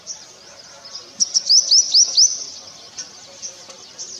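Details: Purple sunbird (Cinnyris asiaticus) singing in courtship: a brisk run of about six high, thin, rising notes packed into one second, set against a steady high-pitched insect-like hiss in the background.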